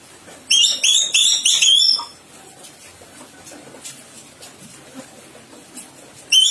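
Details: Sulawesi myna singing energetically, a quick burst of loud, clear whistled notes lasting about one and a half seconds, followed by quiet background rustling and a final short whistle at the end.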